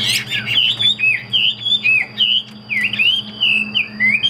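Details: Caged Chinese hwamei singing a run of loud, clear whistled phrases, each a slurred rising or falling note repeated in quick succession, over a steady high electronic tone and low indoor hum.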